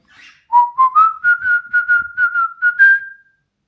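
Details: Pet cockatiel giving a whistled phrase of about a dozen short notes. The notes climb gently at first, level off, and end on a slightly higher held tone. Recorded in a quiet indoor setting.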